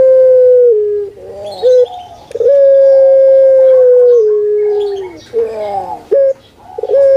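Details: Puter pelung, a kept dove famed in Indonesia and especially Java for its call, sounds long, even-pitched coos that drop slightly at their ends, with short throaty gurgles and clipped notes between the drawn-out phrases.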